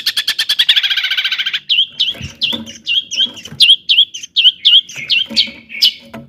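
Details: Long-tailed shrike singing a lure to excite other shrikes: a rapid, even rattle of notes, then a chain of looping, hooked whistles, each repeated roughly every third of a second.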